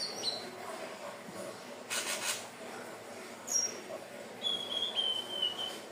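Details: Hill blue flycatcher song, used to lure birds: a few faint, thin high whistled phrases near the end, sliding gently downward, with scattered noise bursts and a hissy background.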